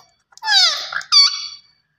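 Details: Green ringneck parrot mimicking speech: two squeaky, raspy word-like phrases, the first long and gliding downward, the second a shorter sharp burst. Nothing else is heard.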